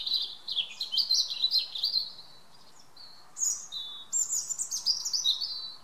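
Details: European robin singing in the evening in a garden: high, thin, tumbling warbled phrases with sliding notes, separated by a short pause, then a second burst of fluting, descending trills.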